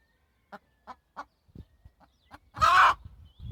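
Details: Hen uttering a series of short, soft clucks spaced about a third of a second apart, then one loud, harsh, drawn-out squawk, followed by faint low thumps.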